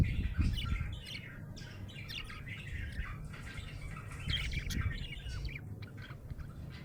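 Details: A happy budgerigar chirps in quick, irregular squawky bursts at mid to high pitch, with short scratchy notes coming and going over a steady low rumble in the background.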